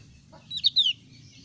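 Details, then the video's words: Javan grey-throated white-eye, thin-browed type: one two-part call, a sharp high chirp followed by a longer note sliding downward, against a quiet background. "ciri khas suara burung opior alis tipis"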